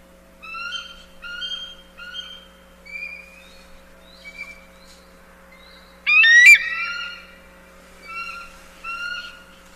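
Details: Bald eagle calling: a run of evenly spaced, short piping notes, then one loud, harsh squealing burst, then a few more piping notes, in a quiet setting with a faint steady hum.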